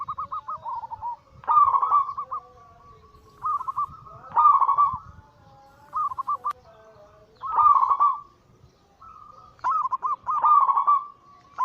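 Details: Crossbred Bangkok and cemani katuranggan silver zebra doves singing together as a lure to prompt other doves; soft trilled coo phrases roughly every two to three seconds, each ending in a rolling flourish.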